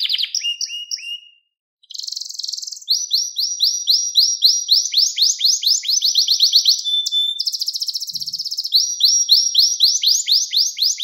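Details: Canary singing for an uninterrupted training recording for young canaries: dense high tours of quick rising sweeps repeated several times a second, brief pause near the start, a steady whistled note midway.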